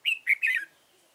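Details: Red-whiskered bulbul serving as a trapping decoy, Dong Nai, 15 November 2017; three rapid, liquid whistled notes run together, the last sliding downward.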